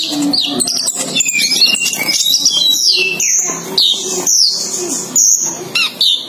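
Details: Male and female ninja sunbirds kept together, singing strongly: a fast, varied stream of high twittering and sweeping whistled notes, ending in short sharp chips.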